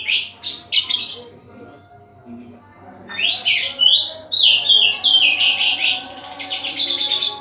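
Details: Kacer, the Oriental magpie-robin, in melodious song: loud harsh bursts open, a lull follows, then a lively run of varied slurred whistles and scratchy notes, over a low constant hum.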